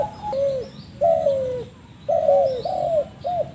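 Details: Spotted dove giving a strange call: short, slurred coos that bend downward, in loose pairs with gaps, while faint high chirps from other birds sound in the background.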